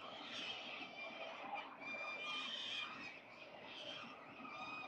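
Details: Peregrine falcons, wild, at their nest on a building while eating small prey for breakfast on 22 October 2022; continuous strained, harmonic whining calls in overlapping rising and falling phrases, with a steady soft background hiss from the nest camera.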